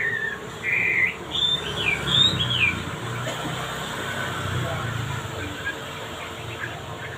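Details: Male wambi with a melodious song: a few clear whistled phrases in the first three seconds, looping up and down in quick wavy notes, then fading into a steady low hum and background noise.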